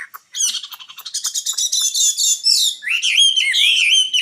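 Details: Rapid stuttering series of short repeated notes speeding into a dense trill, followed by clear, slightly wavering whistled notes from a singing nightingale.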